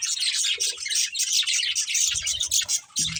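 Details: Short burst of budgie chatter: continuous high, fizzy twittering and fast warbles from several playing birds, joined near the end by faint low bumps.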